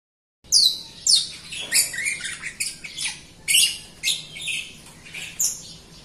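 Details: Jalak Rio myna in lively full song, used as a lure for training other birds. High, harsh, squeaky whistled notes and rasping bursts repeated about every half second, with quiet background hiss.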